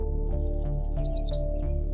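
Yellow Warbler song: a quick run of about seven bright, high sweet notes over a second, over a steady low musical hum.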